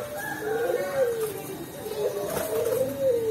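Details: Perkutut Cemani zebra dove from Tulungagung, kept for its 'ulem' voice, giving gentle low descending coos, two phrases in quick succession, with a brief human voice and higher faint calls in the background.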